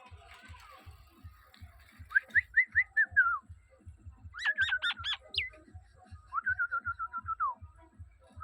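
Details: A talking common hill myna, a kept bird with its owner, whistles three clear phrases: a wavering trill, then a run of rapid rising notes, then a long quavering whistle that falls at the end, over a steady low ticking pulse.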